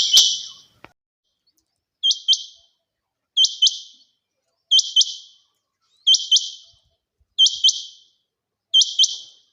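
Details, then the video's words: Clean recording of a female quail: high, sharp two-note chirps, a fast doubled 'quip-quip', repeated evenly about every 1.3 seconds against near silence. "Female quail sound | Madi batairy ki awaz | mada batair kirak |Chinga batair ki awaz"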